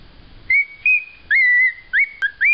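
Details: Pet male cockatiel whistling a learned tune, the Close Encounters theme, the first song he learned as a baby bird. Clear pure whistled notes, some held and some short with upward slides, follow one another in quick succession in a quiet room.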